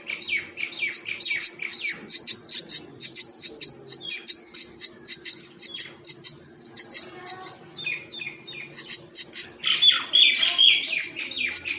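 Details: Myna feeding in the wild, producing long series of rapid high chirps repeated in quick regular bursts, mixed with grating notes and a short pause midway before the chattering resumes.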